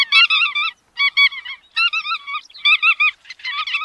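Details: Bar-tailed godwit calling: bursts of nasal, harmonic notes in quick runs of three or four, separated by short pauses, with no other sounds in the background.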